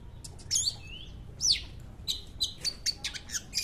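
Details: Cendet, the long-tailed shrike, singing at a residents' gathering; high swept whistles and scratchy slurred notes, followed by a stuttering series of short bright chips near the end.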